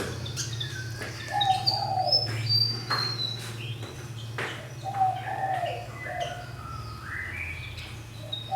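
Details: Fantail bird kept in a cage for one year, in a large space, singing a series of short whistled phrases that slide downward, mixing high thin notes with lower fluty ones and pausing briefly between them over a steady low hum.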